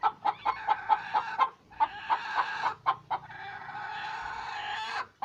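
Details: Chicken cackling while laying an egg: a string of sharp, regular clucks, then a long, rough continuous squawking stretch against a busier background.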